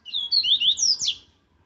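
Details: Double-collared seedeater, captive, singing a strong, aggressive laranjeira-style 'viviti zel zel' song used for training. Rapid high whistled notes sliding up and down, ending in buzzy trilled syllables, over about one second, quiet background.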